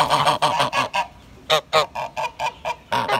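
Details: Grey goose calling in quick succession: loud, harsh, nasal honks repeated about every quarter second at first, then more spaced single honks.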